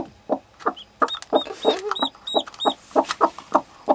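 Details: Laying hen with her newborn chick: short, low, throaty clucks repeated about three times a second, with thin, high, arched peeps from the chick in between.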